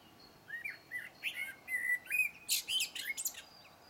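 A blackbird sings a low, fluty warbled phrase, then ends in a burst of high, squeaky twittering notes; quiet and otherwise still.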